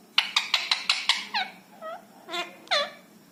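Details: Talking rescued ringneck parrot, a pet rose-ringed parakeet in India: six quick, sharp, evenly spaced clicks followed by several short, nasal, downward-curving notes, some louder and buzzier.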